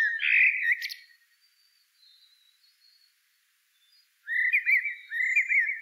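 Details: Blackbird singing a loud, slurred whistle that fades into faint high notes, then silence, then a run of bright warbled whistles repeated twice near the end.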